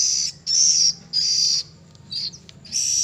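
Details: Three-week-old oriental magpie-robin fledgling giving high, sustained whistled notes in a steady series, each roughly half a second long, with short gaps and a softer shorter note near the end.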